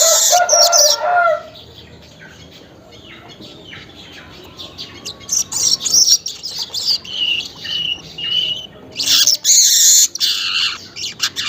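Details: Morning weaver lure song, recorded around 5:40: an opening buzzy burst, a quiet pause, then a series of short scratchy chattering phrases and high sizzles.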